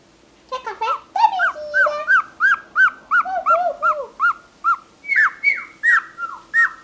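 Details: Chatty cockatiel producing a rapid run of repeated arched whistle notes, roughly three per second, steady for several seconds, then higher downslurred notes toward the end.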